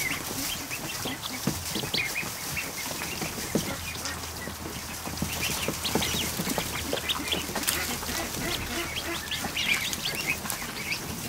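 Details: Over a hundred newly hatched ducklings in a kiddie pool in a barn one afternoon; scattered high peeps float above constant busy clicking, tapping and water-like rustle.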